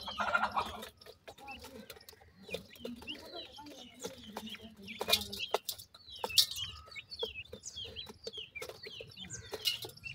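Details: Teetar (grey francolin) chicks being fed by their parents: many high, thin chirps and short slurred peeps overlapping, with soft clucking notes and a steady low hum throughout.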